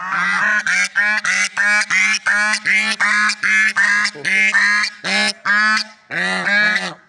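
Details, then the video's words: Loud, unbroken run of swan honks outdoors: short brassy notes repeated roughly every third of a second, with a few longer drawn-out honks near the end. "Funny Sounds and Noises of Lovebird Swans in Nature"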